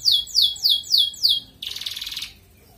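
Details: ["Singing red canary in 'ngerek' style, meant to raise breeding urge in hens. Five loud rising swoop notes in quick succession, then a short dense buzzing trill."]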